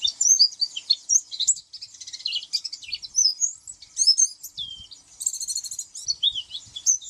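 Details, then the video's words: Dense, continuous high twittering from an oriental white-eye, varied chirps and slurred notes running together, with a short buzzy trill near the end and faint low knocks. "SUARA kicau pleci"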